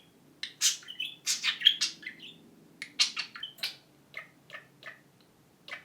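A budgerigar gives a quick run of high, scratchy chirps and squawks in uneven bursts, copying a phone ring; a faint low hum runs beneath.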